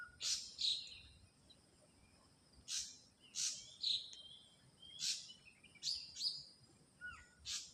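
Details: Ashy drongo singing in the wild: high, sharp whistled and chirped notes in short bursts, separated by pauses of about a second, over quiet background hiss.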